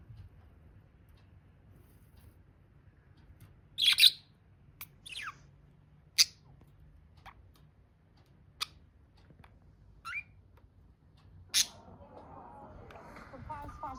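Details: Budgerigars chirping: a few short, bright, sharp chirps spaced several seconds apart over a quiet background, with a soft warbling murmur near the end.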